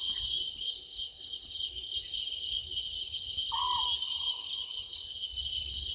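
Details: Single downslurred owlet note, short and clear, from a small owlet perched in a tree at Gowrie dam, Sabi Sand, South Africa, just after midnight on 11/12/2023; constant high-pitched cricket song fills the background.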